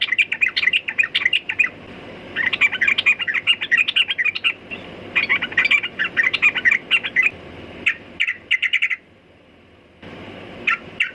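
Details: Sooty-headed bulbul singing in lively, dense chattering runs of quick chirps, broken by short pauses, with a few isolated notes near the end.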